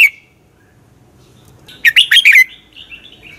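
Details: Red-whiskered bulbul fighting song for training birds: one brief phrase of four quick warbled notes followed by a softer trailing warble, plus a clipped note at the very start.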